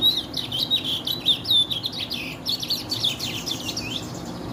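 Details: Chestnut-bellied seed finch, referred to as barba branca (white-beard), singing a long, lively run of quick whistled and chirping notes that rise and fall without pause, with faint background hiss.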